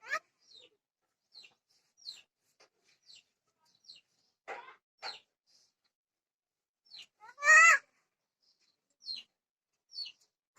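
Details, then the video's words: Myna, said to speak Odia, giving scattered short chirps and thin falling whistles over about ten seconds, with one louder harsh rasping note near the end; otherwise quiet. "Bird Desia Rami Odia Myna chadei Speak"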